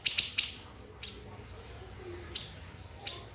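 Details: Siri-siri bird training recording: a few sharp, shrill falling notes, three in fast succession, then isolated single shots separated by short silences.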